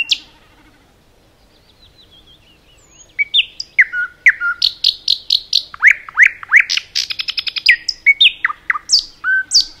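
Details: A common nightingale sings in a forest; after a quiet start with faint distant notes, loud song begins with whistled upslurs, repeated sharp notes, a fast trill and varied rich phrases.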